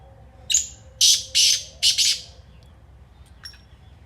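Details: Kala teetar, the black francolin, gives its harsh call: a thin introductory note, then a loud grating phrase of three to four raspy bursts in about one and a half seconds, followed by faint distant chirps.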